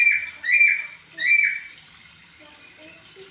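A laughingthrush gives loud, slurred whistled phrases around two to three kilohertz-high pitch, two bursts about a second apart, then fades to faint chatter.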